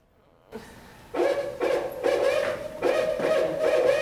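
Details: Barred Owl, a New Jersey winter owl, gives a run of deep, rhythmic hoots in quick succession, the eight-note 'who cooks for you' pattern, played in a quiet room.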